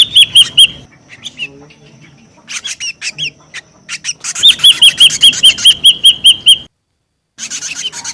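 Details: Noisy ashy drongo lure call: rapid runs of sharp whistled notes and harsh chattering phrases, a long even series of ringing arched notes in the middle, then a brief silence and more chatter.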